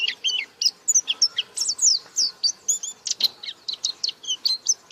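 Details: High-pitched chattering song of a white-eye, called pleci, in 'buka paruh' style: dense, twittering notes rising and falling in quick succession, barely pausing across the whole stretch.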